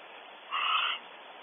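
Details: Barn owl at a nest cavity on a ranch in California, reacting to an unwelcome visitor: a single harsh, breathy hiss-like screech about half a second long, over low steady background noise.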